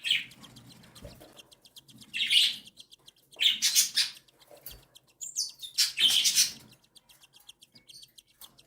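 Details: Cockatiel chicks, one day and seven days old, beg insistently while the mother feeds them; fast ticking rasps rise into loud buzzy, grating squeals in three main bouts.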